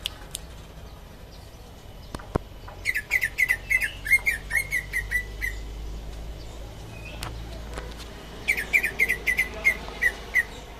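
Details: Indonesian greater green leafbird, a champion singer, pouring out rapid chattering whistled phrases, a sustained warbling run followed after a pause by another quick burst of repeated notes.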